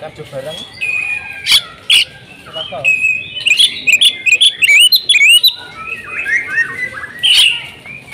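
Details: Oriental magpie-robin in agitated fighting mode: scattered sharp chirps and clicks, then a fast cluster of twisting whistled notes, with low background murmur throughout.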